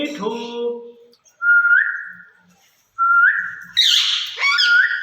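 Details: Two caged ringneck parrots calling to each other, described as talking in Urdu or Hindi: a low harsh chatter, then two long level whistles rising at the end, followed by a burst of squawks.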